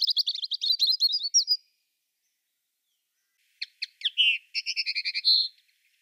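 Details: A European robin (Erithacus rubecula) sings two high, varied phrases of sweet trills, thin whistles and quick tinkling notes, separated by a two-second pause; nothing else is heard.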